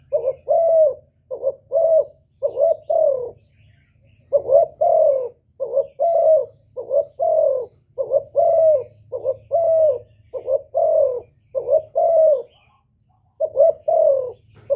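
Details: A spotted dove gives a long series of provoking coos aimed at males. Paired soft notes each end in a sustained falling coo, repeated rapidly with brief pauses. A faint low hum runs beneath.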